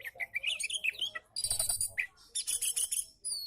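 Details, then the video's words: Oriental magpie-robin in relaxed song, used as a training model for magpie-robins reluctant to sing: rapid varied whistles sliding up and down, broken by harsh buzzy bursts and high metallic notes, with brief pauses between phrases. "KICAU KACER SANTAI COCOK BUAT MASTERAN KACER MALAS BUNYI"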